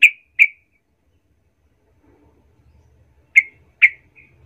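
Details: Yellow-vented bulbul lure sound meant to rile other bulbuls: two sharp, clear chips in quick succession, a three-second gap of near silence with a faint low hum, then two more matching chips.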